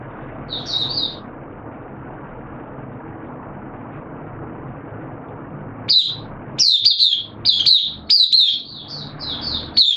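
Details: Oriental white-eye (Mata Puteh) kept as a hobby bird, recorded 8 September 2022: one brief high twitter, a long pause over low background hum, then a fast series of sharp high warbling notes.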